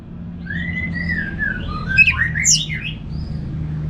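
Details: Anis merah, orange-headed thrush, from North Bali in ngeplong song: long smooth whistles gliding downward, then a tangle of quick rising and falling whistled notes, fairly soft, over a steady low hum.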